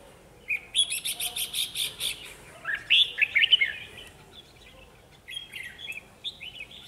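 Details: Decoy red-whiskered bulbul singing during trapping: it opens with a fast run of about eight evenly spaced chirps, then gives a loud warbled whistle phrase, followed by softer, more distant answering notes.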